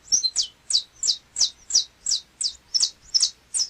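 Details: Canário-da-terra (Saffron Finch) from Brazil delivering a brisk train of bright, downslurred chips. The notes are evenly spaced about three per second, with a few short whistled inflections between them and a quiet background.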